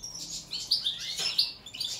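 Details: European goldfinch of the subspecies balcanica singing in a song check, with short bright twittering notes and quick chirps at high pitch, rising and falling over about two seconds.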